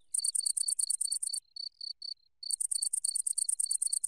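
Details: Red-footed Falcon at Břest on 13 September 2019 gives a shrill, high chattering series, about eight sharp notes a second, broken by a short pause with three slower notes.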